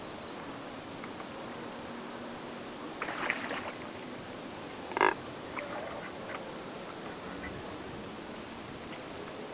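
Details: Neotropic cormorants on Lake San Pablo, Otavalo, Ecuador, a group of about 15 resting and drying in the sun and noisily calling, give two brief, low, guttural grunts a couple of seconds apart over a steady outdoor hiss.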